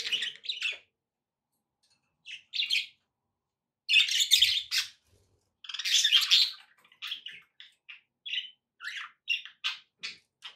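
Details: Pet budgerigars chirping in short bursts of bright, scratchy warbles, with silent gaps between them. A dense run of chatter is followed by quick, clipped chirps roughly every half second.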